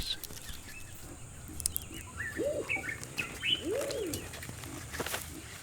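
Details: Pigeon in Kenya's Rift Valley giving its late-morning mating call: soft, low, rising-and-falling coos, with higher chirps around it.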